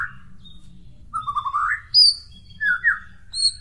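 White-rumped shama singing rich, varied phrases: a low slurred rising warble, then bright high whistles and sweeping notes, with a faint low hum beneath.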